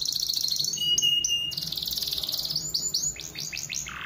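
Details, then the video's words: Canary song used as a lure to start other canaries singing: a fast trill, steady whistled notes, another rapid trill, then a string of rising swept whistles and a low buzzy ending. "PANCINGAN KENARI.. KENARI MALAS LANGSUNG NYAUT"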